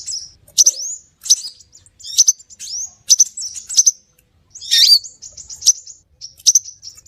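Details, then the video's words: Lure calls of the scarlet minivet: short groups of sharp, high whistled notes about once a second, each with a quick upward slur, plus one harsher burst midway. "Suara pikat burung SEPAH RAJA"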